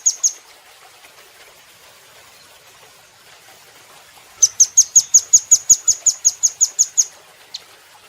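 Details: Velvet-fronted nuthatch kept in a cage, recorded for training: a quick double chip, a long quiet pause, then a rapid, regular series of about thirteen sharp high notes and one last lone chip.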